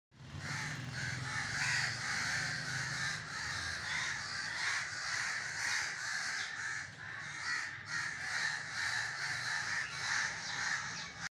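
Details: Crows cawing: harsh, raspy caws repeat about twice per second in a dense, continuous chorus from several birds, with a low background rumble throughout.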